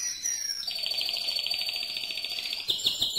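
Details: Mosaic canary in loud song: a brief descending note leads into a long, fast, buzzy rolling trill held at an even pitch, closing with a few louder clipped notes.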